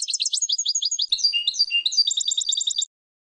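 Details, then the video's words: European goldfinch song used to train other birds: dense, very high rapid twittering and buzzy trills, some lower rolling notes midway, stopping abruptly after nearly three seconds. "GOLDFINCH THE BEST SONG"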